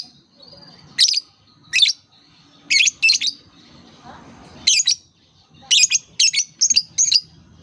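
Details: Shrill lovebird chirps meant to prompt other lovebirds, especially young learners, to call; sharp high notes come singly at first, then in a quickening run of five or six near the end.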